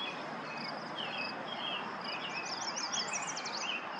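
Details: Yellow warbler song recorded May 28, 2024, at Lauritzen Gardens in Douglas County, Nebraska: a rapid burst of sharp, high, sweet notes near the end, set over constant hiss, scattered lower chirps of other birds and a pulsing high drone.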